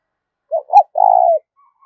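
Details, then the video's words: Spotted dove cooing, a call used as a lure for trapping: a short low coo, a brief rising-falling note, then a longer buzzy, slightly descending coo, all mid-low and mellow, with quiet surroundings. "cu gáy thúc rút bổi dùng cho anh em đi gài, bổi và mồi nghe khó cưỡng lại"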